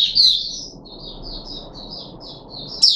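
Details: Captive puff-backed bulbul, third day after a deworming course, July 2021; a loud opening whistle, then a softer chain of short high whistled notes, ending with another strong whistle.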